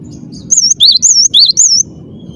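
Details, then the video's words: Cinereous tit in full song, clear and insistent, giving a run of five loud, high, slurred whistles that alternate between wavering upper notes and lower undulating ones, over a quiet low hum. "ngotot suara jernih, gelatik batu gacor"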